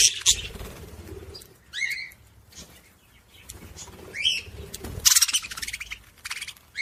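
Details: Budgerigar singing to stimulate other budgies. Scattered chirps, short rising whistles and a few harsh bursts, separated by quieter gaps.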